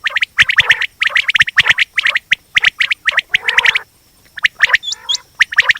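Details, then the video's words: Quail (batir) calling in fast, harsh, clipped notes, several each second, broken by a brief pause and a few thin rising whistles near the end. "Batir ki aawaz||batir ki boli||quail voice"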